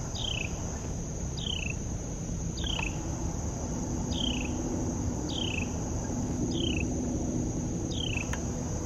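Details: Carolina wren (Thryothorus ludovicianus) calling in the morning at Tuckahoe Creek Park, waking the neighbourhood: sharp, high notes that slide downward, repeated about every second and a half over a steady insect drone and low rumble.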